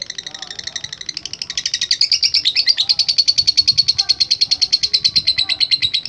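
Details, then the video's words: A lovebird in full voice builds into its long ngekek chatter, starting with scattered high chirps and then settling into a dense run of quick buzzy notes that grows louder and carries on to the end. "LOVE BIRD GACOR NGEKEK PANJANG"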